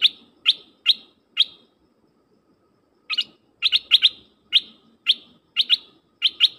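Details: Decoy dok taeng bird calling to draw wild birds, giving sharp, high, clipped chirps repeated every half second or so, with a pause in the middle, then faster doubled notes; faint low background murmur.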